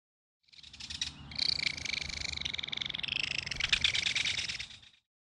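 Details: One sustained, harsh rattling chatter lasting over four seconds, loud and evenly pulsed, from a belted kingfisher feeding its baby at a nest dug into a mud bank.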